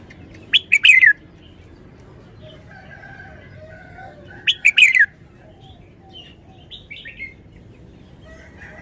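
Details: Red-whiskered bulbul held as a cage bird repeats a loud, rapid, downward-slurred whistled phrase twice, about four seconds apart, in the wild-song (phleng pa) style, with softer warbles and chirps between them.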